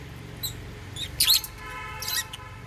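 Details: Meal time for caged African lovebirds eating holy basil: a few thin high chirps and one louder squeaky burst, with low background hum.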